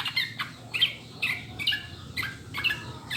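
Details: Trucukan, or yellow-vented bulbul, in a clear recording used to stir birds into song: squeaky, bright notes repeated roughly every half second in short clusters, with faint background noise.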